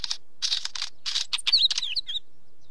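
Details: A wheatear gives rapid scratchy chattering, clicking notes in quick clusters that break into a brief jumble of squeaky, twisting whistles.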